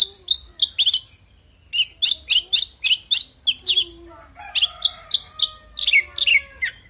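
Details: Oriental magpie-robin singing its fighting song: evenly spaced sharp chirps, about three per second, then a clear sustained whistle under continuing rapid chirps.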